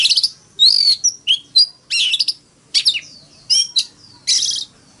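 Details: Decoy Oriental magpie-robin in fighting song, forest-voice style, used to set other magpie-robins singing in the morning. Harsh buzzy bursts alternate with clear rising and falling whistles in about a dozen quick, irregular phrases.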